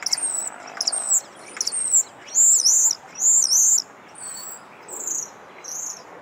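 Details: At a restaurant, a common starling waiting to raid a table sings a chattering run of high, squeaky whistles and wheezy slurred notes, each phrase a second or so, over a soft background hiss.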